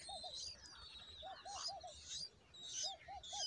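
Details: Bulbul chicks give bursts of high, scratchy chirps roughly every second while a parent feeds them a huge worm, over soft, low, rounded hoots in twos and threes that sound like a dove.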